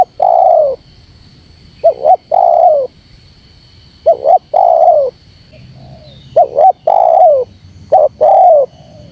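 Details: Spotted dove lure recording: four phrases, each a pair of short notes leading into a long mellow coo that dips at its close, separated by quiet gaps of one to two seconds.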